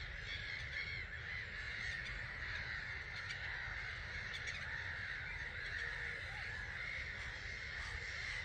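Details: Some 250,000 starlings lifting from a roost at 05:45, 21 March 2022, seen from a hide at Gibraltar Point NNR. A thick blanket of chattering calls, punctuated by occasional sharp clicks and short whistled notes, with wind rumbling low throughout.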